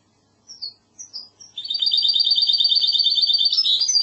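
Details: Goldfinch hybrid singing the classic Andalusian song: three separate high notes, then a long even rattling trill that ends in a few louder chirps.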